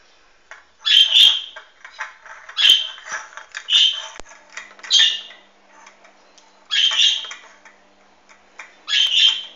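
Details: Hahn's macaw recorded on 16 March 2013, giving loud, harsh, grating squawks in short bursts roughly every one to two seconds, with quieter chattering between calls in an otherwise quiet indoor setting.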